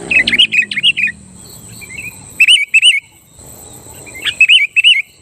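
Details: Sooty-headed bulbul singing hard to goad rival bulbuls: a fast run of chattering notes opens, followed by repeated pairs of smooth, looping whistles with short pauses between.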